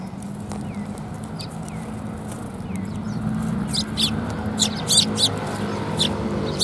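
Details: Several Eurasian tree sparrows come to be fed at a Tenmangu shrine on 10 January 2022; short high chirps cluster in the second half over a steady low hum, with a few faint downward-sliding notes early on.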